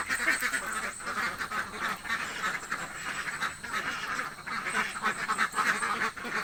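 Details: Very hungry village ducks quack loudly as a group, harsh nasal calls tumbling over one another in uneven pulses with brief lulls.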